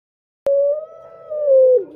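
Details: Male turtle dove lure call: one steady drawn-out coo at level pitch that dips and fades at the end, following a sharp click.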